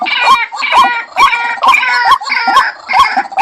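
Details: White-breasted waterhen lure call: harsh, nasal notes with a rising, bent tone, repeated about every half second in a steady series, with a brief quieter gap near the end.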